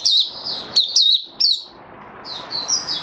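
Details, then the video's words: High, sharp twittering from a male white-eye getting into form: quick downslurred chirps, a brief pause, then a softer run of warbled notes over faint background noise. "Mata Puteh Raja Stablizing his form buka sing"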